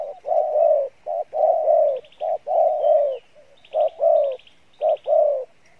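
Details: Spotted dove, a field-type bird, singing in the mixed 'Bai Loi' style with good voice and cooing: deep, hoarse coo phrases in groups of two and three, repeated about once a second, with faint high chirps in the background.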